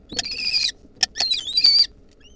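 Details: Wild lesser kestrel nestlings begging as their mother brings a mouse, 2023: three loud, strained, high whining calls, the first and last held steady for about half a second, a short sharp note between them.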